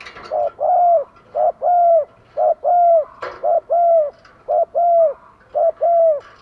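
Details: Decoy spotted dove cooing rapidly to stir up wild doves: a steady run of six low two-part coos, a short note then a longer, slightly falling one, about once a second, with faint clicks.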